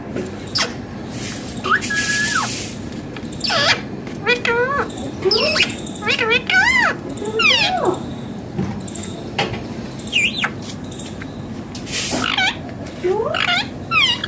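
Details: A newly acquired pet parrot talking with its owner: a run of sharply rising and falling harmonic notes, some squawk-like and some looping, spread across about fourteen seconds, with steady low background hiss.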